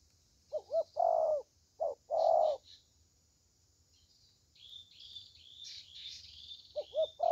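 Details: Low hollow coos of a spotted dove in short-long pairs, followed by a stretch of high twittering from other small birds before the dove coos again.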